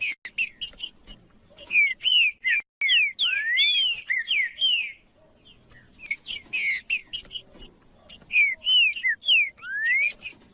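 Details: Green-winged saltator song played to warm up and provoke males: bursts of clear whistled slurred notes, some rising and some falling, mixed with sharp chirps, arriving in phrases separated by short pauses; a steady high tone runs underneath.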